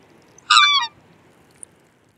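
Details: Black swan giving a single short bugling note, harmonic and slightly falling, lasting about a third of a second, against a quiet background.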